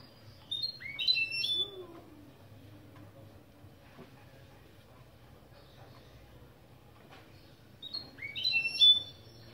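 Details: Goldfinch × canary mule song openings for training: quick rising and falling whistled notes in a short burst, a long near-silent gap, then another similar burst of varied whistles. Faint hum.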